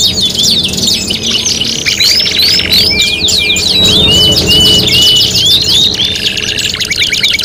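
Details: Domestic canary singing for competition tutoring: quick buzzy trills mixed with clear, slurred whistles that rise and fall, several repeated in a row near the middle, and fast chattering rolls at the end.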